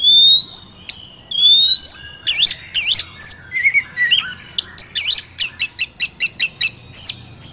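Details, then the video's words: Wild Oriental magpie-robin singing, used to provoke a kept bird: loud, varied phrases of rising whistled sweeps, harsh buzzy notes and a rapid series of sharp repeated chips toward the end. "Pancingan kacer ampuh langsung Emosi - kacer di alam liar"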